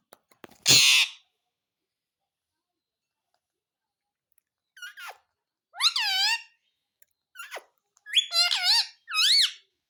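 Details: Pet Indian ringneck parakeet talking, mimicking "mummy papa": a sharp harsh burst near the start, a long quiet gap, then a string of short voiced, speech-like syllables with bending pitch clustered toward the end, in a small indoor room.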